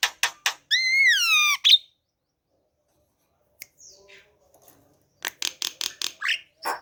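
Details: Javan myna kept at home, in the morning, being coaxed to sing as it has been reluctant. A few harsh clicks lead into a long, rising, rich whistle, then a pause and a run of short, rasping chattering notes.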